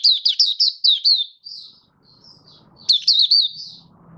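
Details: Oriental white-eye, Malaysian Mata Puteh kept as a hobby bird and still building form, singing buka sing: a fast string of sharp, high twittering notes, a softer trailing phrase, then another brisk burst over faint low room hum.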